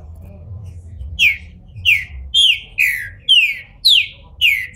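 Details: Green-winged saltator, a captive bird from a registered breeder in Brazil, bald and coming out of moult, sings a series of seven loud, clear whistled notes, each sliding downward, repeated about every half second after a quiet start.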